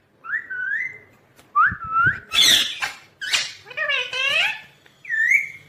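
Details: Indoor pet ringneck parrot calling: clear slurred whistles rising and falling, a harsh noisy burst in the middle, then stacked harmonic notes that curve upward and a closing whistled phrase.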